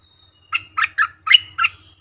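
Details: Lure call of a bulbul for trapping wild birds, five rich gurgling notes in a rapid, slightly uneven bubbling phrase lasting about a second, clean with no other sounds.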